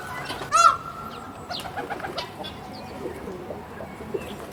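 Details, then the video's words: A caged peacock gives one loud, brassy, nasal honk, brief and rich in overtones, over steady chatter from other small birds. "Beautiful Peacock Making Sound in the Cage"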